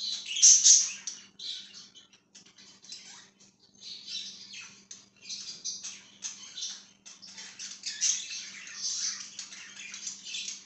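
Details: Pet budgerigar chirping: dense, continuous warbled chatter of scratchy high chirps and short squawks with a few sharp peaks, plus a faint steady low hum in the background.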